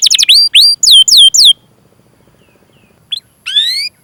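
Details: Canary chirping, used to prompt canaries that have stopped singing: a rapid run of swooping whistled notes for a second and a half, then near silence, a faint click and a short rising buzzy note.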